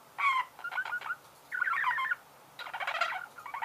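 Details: Budgerigar song of nasal, buzzy warbles and creaky chatter in three or four phrases, some with clear harmonic tones.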